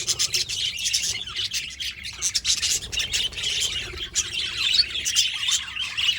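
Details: Budgerigars chirping and chattering: a dense, continuous mix of scratchy, high-pitched chirps and squawks with quick overlapping notes, several birds calling at once.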